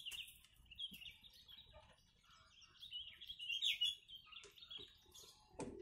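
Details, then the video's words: A yellow-vented bulbul, used as a tutor bird, sings a steady stream of quick, chattering, bubbly phrases at a fairly high pitch, with sooty-headed bulbul (kutilang) imitations woven in. "Trucuk Isian Kutilang"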